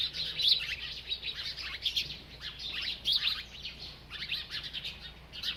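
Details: Bright, high chirps from a bird busy eating, delivered in loose, irregular runs of short notes with brief gaps.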